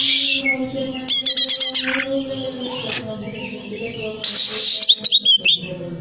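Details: A greater green leafbird singing to stimulate breeding arousal: a rapid buzzy rattle of repeated notes, a sharp click, then a harsh burst leading into quick descending whistles, all over a steady hum.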